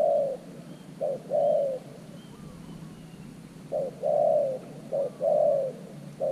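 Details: New decoy spotted dove used with an earth-mound trap to lure wild doves. Low hollow coos in phrases: a short note, then a longer drawn-out coo, repeated in two bursts with quiet between.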